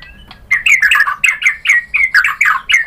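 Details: A white-rumped shama sings to excite other birds into answering, with a rapid chattering series of buzzy, slurred notes repeated about five times a second.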